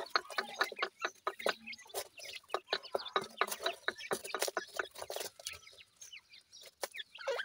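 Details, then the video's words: Dakhni teetar chicks, the grey francolin, feeding: rapid irregular pecking clicks about two per second with interleaved short high chirps. "partridge bird chicks natural awaz,dakhni teetar chicks natural sound"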